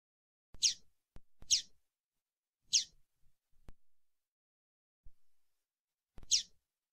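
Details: A female Double-collared seedeater (coleiro) gives four short, high, slurred chirps at uneven intervals over seven seconds, with a few faint clicks between them.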